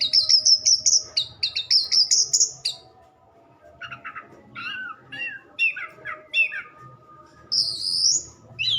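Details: Orange-headed thrush song: long rising whistled phrases repeated three times, then a pause, then varied short chirping notes and a final sweeping whistle, over a faint low rumble.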